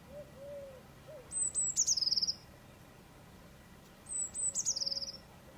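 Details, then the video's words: Eurasian blue tit singing two phrases, each a couple of thin, very high notes dropping into a quick, falling silvery trill, with faint low whistled notes in the background. "Blue titmouse singing 🔷 Bird song 🔷 Blaumeisen singen 🔷 kék cinege énekel"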